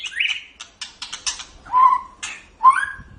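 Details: White-rumped shama, a kept songbird used for tutoring, giving a short broken phrase of buzzy notes followed by two clear rising whistles.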